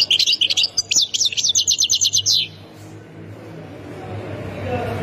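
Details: European goldfinch of the Khemis Miliana sector, Ain Defla province, Algeria: a fast high twitter ending in an evenly pulsed trill for about two and a half seconds, then only rising background noise.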